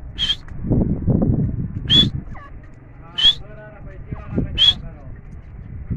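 Grey francolin giving four loud, sharp, high call notes about every 1.3 seconds, over low murmuring voices and background rumble.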